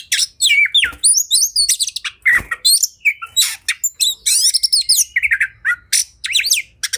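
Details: Agitated oriental magpie-robin singing in fighting mode, its song said to excite other males into opening their tails; fast, dense medley of bright whistled glides, trills and scratchy harsh notes, loud and continuous.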